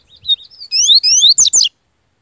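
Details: Bahian yellow-bellied seedeater in peak form sings a strong phrase: soft short notes, then loud rising whistles in quick series, closing with two harsh buzzy descending notes, then silence.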